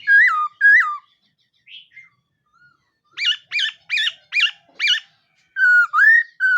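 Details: Laughingthrush (khướu mun) singing in the morning to train its voice: two downslurred whistles, a pause with soft notes, a run of five rapid sharp rising chirps, then looping whistled phrases.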